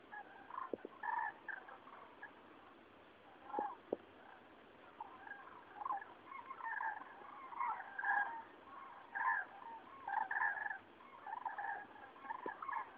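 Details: Cranes passing over Rochechouart, France, on 15 February 2013, one of many migrating flocks heralding spring; scattered rolling trumpet calls at moderate distance, overlapping in short bursts through the clip, with a few sharp clicks.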